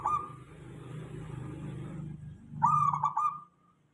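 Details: Local zebra dove (perkutut) lure song to make other doves reply: a brief coo at the start, two seconds of rumbling low noise, then one clear rolling, stuttered coo phrase.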